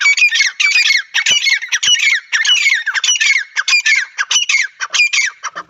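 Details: Partridge repeating loud, grating, squawky notes in quick succession, close and clear, non-stop, at nearly two notes per second.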